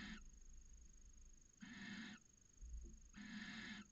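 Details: Harsh, rasping screeches from a mating barn owl pair in a Cabañeros National Park nest box, Spain, late January, early in the season; three bursts of about half a second to a second each, with a low thump between them.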